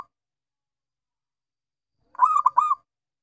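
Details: Singing local perkutut, a zebra dove: after a long quiet pause comes one rolling phrase of three rapid, resonant coos, evenly pitched and clearly spaced, with no other sounds.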